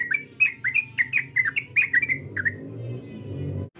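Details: Yellow-vented bulbul provoking a rival. A rapid string of about a dozen bright chirping whistles that stops after two and a half seconds, leaving a low rumbling background.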